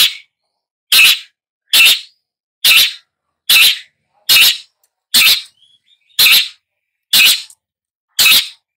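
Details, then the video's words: Long-tailed shrike calling with a steady series of ten harsh, grating rasps, one nearly every second, with faint soft notes in one gap. "Long-tailed Shrike Bird Song, Sound, Call, Chirp, Melody"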